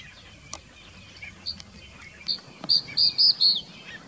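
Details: Crested bunting (Emberiza lathami) singing in the Aravali hills of Rajasthan, India: scattered soft high chips build into a loud closing phrase of about five clear, evenly spaced high notes, with faint low background noise.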